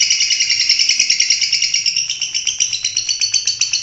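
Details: Long-tailed shrike, a national champion competition bird, singing a fast run of buzzy chattering notes, about two to three per second, with stacked high harmonics and a steady rhythmic pulse throughout.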